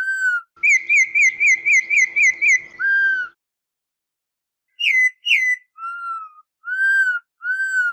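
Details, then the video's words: Fast song style of the Campo troupial, or corrupião: a low arched whistle, then a rapid bouncing trill of about eight quick notes, another low whistle, a pause, and sharp downslurs followed by long arched whistles. "Cantos De "Corrupião" MAIS BONITOS e MELHORES"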